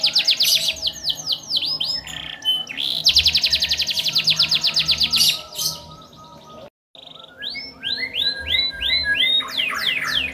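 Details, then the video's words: Canary singing long and vigorously, said to prompt other canaries to join in: dense high trills, rapid repeated rising sweeps, ornate phrase changes, with a short gap before a final series of looping whistled notes. "Suara Burung Kenari Gacor cengkok mewah"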